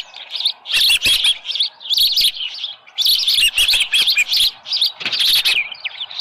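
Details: Osprey on the nest early on July 24, 2018, with a headless fish: repeated bursts of high, sharp chirping in rhythmic clusters roughly every second, with occasional knocks.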